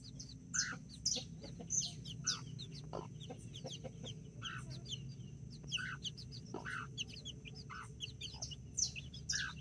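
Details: Nine backyard chicks, four mini chickens and five Brahma babies, with two mother hens in Colombia on 24 October 2024. Shrill high peeps repeat rapidly throughout, over soft low clucking and a steady hum.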